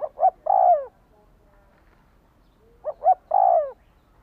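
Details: Repeated spotted dove phrase used to provoke a decoy bird: two sharp short coos and a long, rich, descending coo, twice with a quiet gap of about two seconds between.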